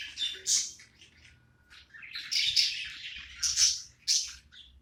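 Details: Budgie at play producing scattered high chirps: a sharp squeak at the start, a quiet stretch, then buzzy warbling and two loud clipped chirps near the end over a faint low rumble.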